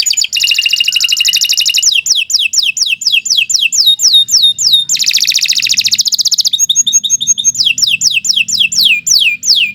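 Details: Long gacor canary song alternating dense buzzy trills with runs of sharp falling whistles, several changes of tour in quick succession with no pauses.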